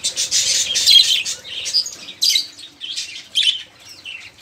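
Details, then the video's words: Budgerigars chattering loudly as a singing prompt for other caged birds: an opening run of buzzy warbling, then separate harsh squawks spaced roughly half a second apart, fading toward the end. "Suara Burung Parkit | Parkit Gacor | Pancingan Suara Burung Parkit agar cepat bunyi"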